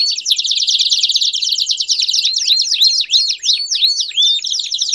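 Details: ['Loud song of a Belgian canary, opening with a rapid buzzy trill, then breaking into a string of sharp, arching whistled notes, several per second.']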